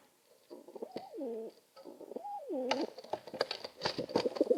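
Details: Pigeons squabbling over room, giving deep, wavering coos that swell and dip in two drawn-out phrases, then scuffling and clattering grow busier toward the end.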